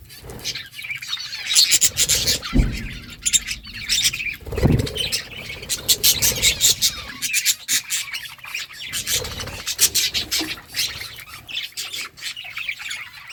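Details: Budgies at green food chatter in rapid, scratchy twitters over a long stretch, with dense crackling feeding clicks and a couple of dull knocks.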